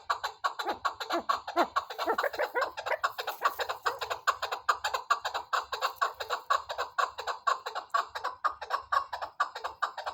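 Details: Chukar partridge calling in a rapid, steady series of harsh clucking chuk notes, roughly two per second, overlapping and continuous throughout, with a few lower slurred notes near the start.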